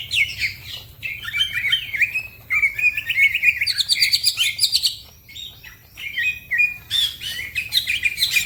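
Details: Green leafbird (cucak ijo) singing fast and energetically, described as gacor, with other birds joining in: rapid, varied chirps and slurred whistles that rise and fall, broken by short pauses and dense bursts of high, buzzy notes.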